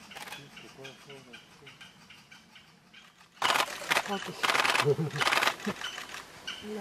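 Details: Japanese green woodpecker nestlings on Mount Rokko, Japan, on 1 July 2017, a day before two chicks fledged, beg with harsh, raspy calls, soft and chattering at first, then loud buzzing bursts about twice a second.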